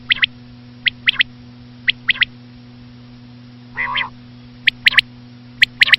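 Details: Common quail (Coturnix coturnix) calling: short, high, clipped notes in pairs and threes, about once a second, with one lower, rougher burst midway, over a steady electrical hum.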